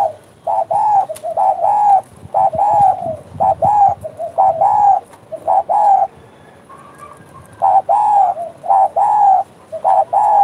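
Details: Derkuku, the spotted dove, in full 'bekur bekur' cooing: a long series of paired arching coos, short then longer, repeated steadily with a short pause midway, against faint background rustling.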